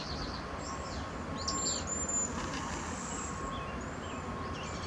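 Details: Cedar waxwings call with a series of high, thin, lisping notes, several clustered near the middle and others scattered throughout, against constant low environmental noise.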